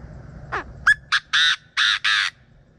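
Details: Chinese francolin heard in the morning, sound meant for lure hunting: a loud, grating phrase of about six notes within two seconds, short sharp opening notes building to three long, coarse, broad blasts, faint low hum behind.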